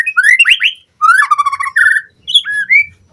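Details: White-rumped shama song used as a fast lure recording for training captive birds: rich whistled phrases, rising and falling slurs with buzzy chattered notes, delivered in three bursts separated by brief pauses.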